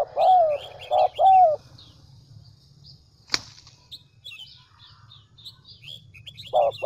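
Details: Spotted dove used as a decoy in Vietnam's Central Highlands starts with two paired, mellow coos. A sharp snap follows, then several seconds of high twittering from small birds, and a last coo begins at the end.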